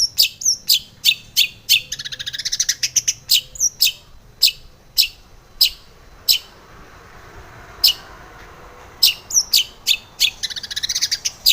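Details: Female long-tailed shrike calling in the morning, played as a lure to stir caged birds. Sharp, high chirps repeat in quick bursts, some clustered into rapid trills, with short pauses between groups. Quiet background.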